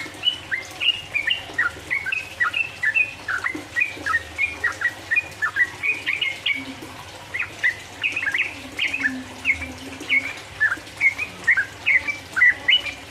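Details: Sooty-headed bulbul delivering lively 'ropel uplik uplik' song to rouse rivals: long sequence of rapid, slurred chirps in rolling phrases, a short lull near the middle, then renewed bursts; soft low hum.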